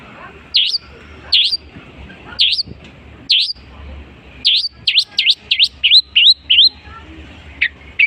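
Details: Long-tailed shrike copying other species, producing loud V-shaped swooping whistles spaced irregularly. These speed into a rapid string of about six similar notes, then a few thin high chips close the phrase.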